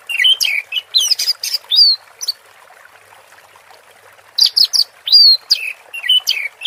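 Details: Teler-style song of an orange-headed thrush: quick bursts of bright whistles and sharp chirps, then about two seconds of near silence, then another rich burst of slurred, rising and falling notes.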